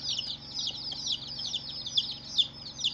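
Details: A brood of day-old chicks peeping. Short, high, falling chirps crowd together in a constant flurry, a few louder peeps standing out near the end, with a soft electrical-sounding hum below.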